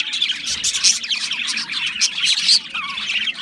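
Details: Budgerigars chatter rapidly with scratchy high chirps, squawks and a few thin whistled notes, several birds calling at once without a break.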